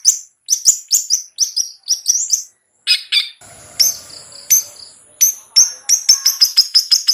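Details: Long-tailed shrike in 'ngetet' song used to spur a reluctant bird: quick high whistled chirps, a few harsher notes, a short steady tonal passage, then a fast even run of sharp chips.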